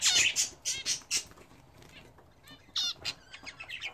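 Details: Home-kept budgerigars bred as a hobby, bathing: loud bursts of bright, harmonic chirps and squawks packed into the first second, a quieter pause, then more scattered chattering chirps with soft flutter and splash-like noise.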